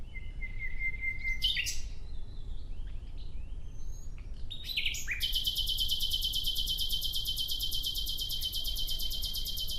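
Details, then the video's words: Nightingale song opening with a level whistle and scattered chirps, then a long, loud, machine-like rattle of rapid even pulses lasting about five seconds, heard over a low continuous rumble. "Relaxing clear sound of Nightingale"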